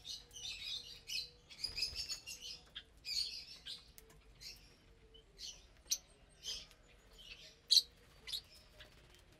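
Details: Several lovebirds sharing a morning meal of vegetables, millet and seeds; continuous soft, raspy high chattering with a few sharp squeaks, over a faint low hum.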